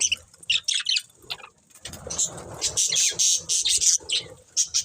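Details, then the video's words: Budgerigars of a breeding pair give short, sharp high chirps and squeaks in quick clusters over soft low rustling and shuffling. "Cute Budgies Chirping Sounds | Love Birds Breeding Pair"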